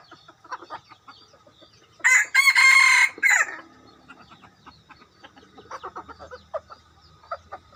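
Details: Decoy rooster crowing: one loud, harsh crow of about a second and a half, broken into a few rough harmonic bursts, framed by softer clucks and clicking calls before and after.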